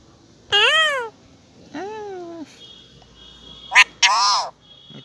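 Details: A talking parrot saying its own name: two tonal, arching, voice-like phrases, the second lower and longer, then a short pause and two harsh, screechy squawks in quick succession over a quiet background.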